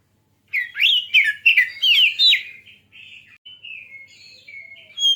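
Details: Oriental magpie-robin, a bird used to provoke other birds into singing: rapid varied whistled phrases with sharp sweeping notes and chirps for about two seconds, then softer trailing warbles and a final bright note.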